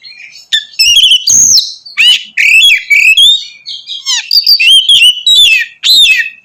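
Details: Loud, energetic Oriental magpie-robin song used to stir other males into singing: rapid changing whistles, sweeping upslurred and downslurred notes and buzzy trills strung together with hardly a pause.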